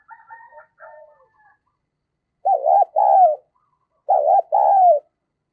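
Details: Decoy spotted dove cooing to call in and spur on wild doves: two faint, soft coos, then two loud pairs of mellow, wavering coo notes about 1.5 seconds apart, against a silent background.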